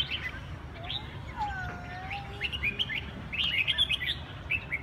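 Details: Red-whiskered bulbul, Huế cánh type, delivering lively chirped and warbled notes that grow denser in the second half, alongside drawn-out lower whistles and a steady low hum.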